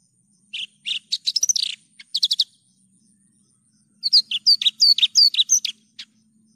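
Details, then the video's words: Energetic Javan bush lark song in a clear tutor recording, given as short bursts of sharp chirps and looping whistled notes separated by brief silences, with a faint low hum beneath. "PANCINGAN/MASTERAN JERNIH BRANJANGAN GACOR"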